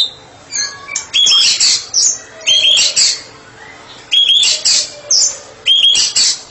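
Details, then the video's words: Therapy specialist white-rumped shama singing ngeplong: loud bursts of scratchy, buzzy phrases, each opening with a ringing whistled note. The phrases come in two groups separated by short quieter gaps. "Murai batu spesialis terapi sedang ngeplong"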